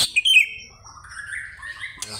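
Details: Greater green leafbird calling to challenge a rival: a short burst of high, sharp whistled notes, then a lower, thinner whistle that rises and wavers before a sudden click at the end.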